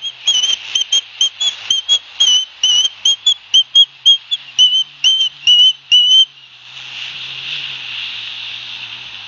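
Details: Osprey youngsters at a nest at Barnegat Light, New Jersey, 9 September 2021, as their father delivers fish, picked up by a live nest camera. Piercing whistled chirps repeat for six seconds, then give way to a steady hiss.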